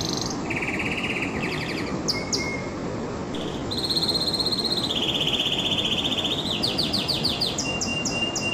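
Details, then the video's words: Canary, possibly a male in breeding condition, singing a lively string of high rolling trills and rapid repeated notes, switching phrases every second or so, over a steady low hiss. "تغريدة طائر الكناري"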